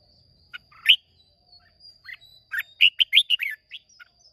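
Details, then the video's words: Red-whiskered bulbul in a singing contest, from Hoa Binh, Vietnam, 30 May 2023, delivers a lively phrase of about eight fast warbled notes after a few opening chirps, a thin steady high tone underneath. "Chào Mào Hót Đấu Rất Đẹp Rất Hay"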